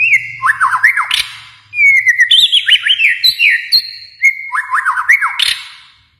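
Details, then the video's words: White-rumped shama of Kalimantan sings quick loud phrases: sustained whistles broken by rapid downward-slurred notes and crisp chips, repeated in three bursts with a soft low hum at the start. "murai batu Kalimantan"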